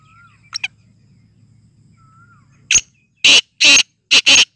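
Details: Black francolin in excited, full-condition calling; after faint chirps from other birds over a low rural hum, a loud harsh grating phrase of five rasping bursts, three long and two short, closes the clip.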